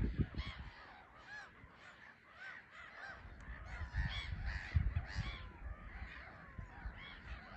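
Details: Bustling island colony of black-headed gulls at RSPB Frampton Marsh, birds landing and lifting off under grey sky: a steady chatter of short, hoarse, arching calls from many birds, about two each second, over buffeting wind.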